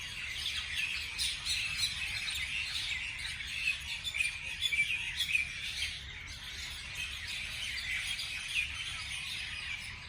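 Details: Many birds chirping on a morning, a dense overlapping chorus of high, short tweets and trills with no clear rhythm, over a steady low hum.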